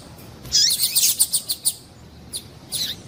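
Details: Exciting call of a female double-collared seedeater aimed at males: a dense, rattling burst of very high chirps that fades into a few evenly spaced notes, then two isolated high calls.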